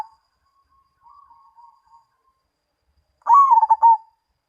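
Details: Mojopahit-style song of a perkutut, or zebra dove: quiet wavering trills and small notes, then a single powerful coo that rises and falls through rapid pulsing beats.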